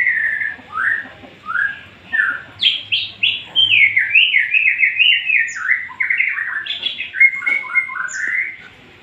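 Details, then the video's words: White-rumped shama singing the burst style known locally as tembakan, or 'shooting': loud, rapid whistled notes, many sharply falling or rising, strung in quick varied series for about nine seconds with brief pauses. "Tembakan murai batu"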